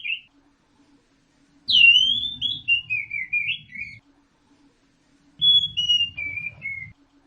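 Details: Orange-headed thrush song: two separate phrases of sliding whistled notes that fall in pitch, with faint low rumbling under each phrase.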